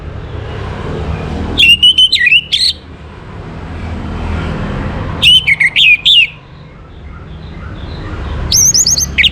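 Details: Orange-headed thrush singing in the morning: quick phrases of sharp, warbled whistled notes about every three and a half seconds, the third phrase higher and more trilled, over a faint low background rumble.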